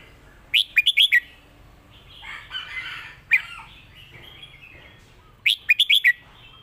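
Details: Red-whiskered bulbul singing a master song used for competition birds in Thailand: a quick series of four loud, ringing whistled notes, a softer warbling passage, then the bright four-note phrase again.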